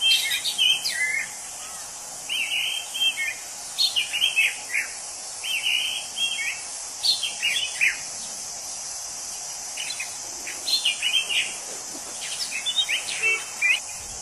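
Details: Orange-headed thrush singing in the wild: short bursts of slurred, warbled whistled phrases repeated every second or two over a steady high hiss of insects.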